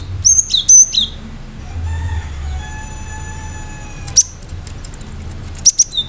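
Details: Cinereous tit singing sharp bursts: a fast cluster of high whistles opens, followed by a faint steady tonal hum, a single clear whistle, and a final trio of bright notes.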